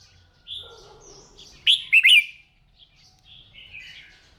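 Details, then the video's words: Red-whiskered bulbul during morning singing practice: a short burst of loud, bright warbled notes near the middle, with fainter whistled phrases before and after and low background rumble. "Tiếng Chim Chào Mào Hót , Kích Chim yếu lửa ra giọng , luyện giọng chào mào mỗi sáng"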